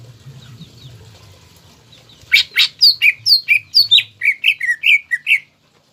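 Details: Singing greater green leafbird, kept in Indonesia and pushed to rouse rivals so they respond and crest up: after a low murmur, a brisk string of about twelve loud, downslurred whistles and chips, slightly falling in pitch.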